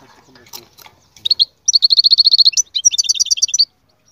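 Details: Goldfinch singing, with faint background noise at first, then short high chirps followed by a long rapid trill of identical notes and a second trill of paired twittering notes.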